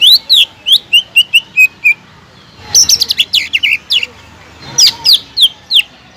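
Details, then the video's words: Energetic greater green leafbird song meant to provoke a leafbird that has stopped singing: a rapid string of clear falling whistles, then a denser jumble of sharp chirps and slurred notes, ending in a few loud whistles. "PANCINGAN CUCAK IJO GACOR EFEKTIF MENAIKAN EMOSI CUCAK IJO MACET BUNYI"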